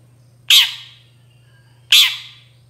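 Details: Long-tailed shrike voice used as a lure to make other shrikes answer: two loud, harsh rasping notes about one and a half seconds apart, each fading quickly, over a steady low electrical hum.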